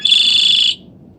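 A Red-winged Blackbird gives a harsh, high, buzzy trill lasting under a second, then stops, leaving only a faint low hum.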